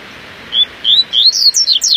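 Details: A Double-collared seedeater on a morning outing sings a quick series of high, sweet whistled notes that climb and quicken into rapid, sliding phrases.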